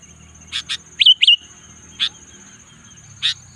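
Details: Sooty-headed bulbul in the afternoon: short sharp chirps, a pair of quick rising-and-falling whistled notes around one second in, then single spaced chirps; a steady high thin tone runs throughout.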